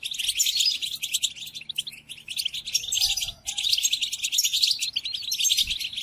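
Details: Tutoring song of European goldfinch for captive birds in moult: high, jangling twitter with quick buzzy trills, briefly pausing once before resuming just as busy, faint low hum behind.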